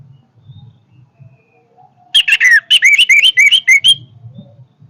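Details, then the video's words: After quiet low background rumble, an orange-headed thrush bursts into a fast, forceful string of about a dozen bright, looping whistled notes delivered over two seconds. "kicauan Anis merah yang bertenaga"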